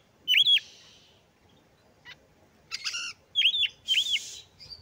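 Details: Oriental magpie-robin, kept as a song bird, singing: loud, clear whistled notes dipping and rising in U-shapes around the upper middle range, mixed with brief buzzy bursts and short high scratchy notes, with pauses between phrases.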